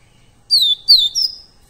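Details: Double-collared seedeater (coleiro pardo), recorded live as training material for captive birds: three clear whistled notes, the first two sliding downward, the last held steady and high.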